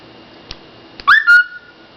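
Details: Pet bird making cute noises indoors: a few faint clicks, then a loud whistled note that sweeps upward and flows into a short, steady, clear whistle that fades away.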